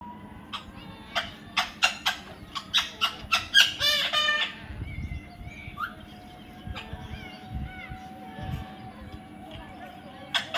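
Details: Baby parrot giving a rapid series of harsh, harmonic squawks, about four per second for several seconds, then quieter scattered chirps and a short whistled note over a low background hum.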